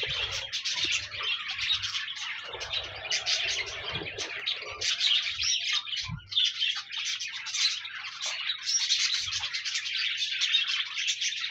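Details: Chorus of pet parakeets warbling nonstop, meant to encourage a lone pet budgie to sing: rapid, overlapping chirps and scratchy trills from many birds, briefly dipping in loudness midway, with occasional soft knocks.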